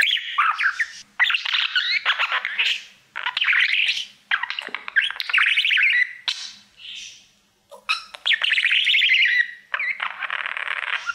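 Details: Male budgie warbling to his mirror: repeated bursts of grating chatter and bright chirps, each lasting one to two seconds, with short silences between.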